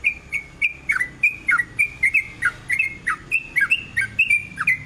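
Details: Sooty-headed bulbul lure song in the rapid 'ropel' style: clear piping whistles, some level and some swooping down, given in quick succession for several seconds, with slight background noise.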